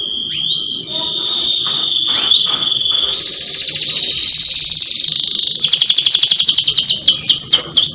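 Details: Canary mating song: a long flat whistled tone broken by quick chips, then a sustained dense rolling trill that builds in loudness and ends in looping high sweeps.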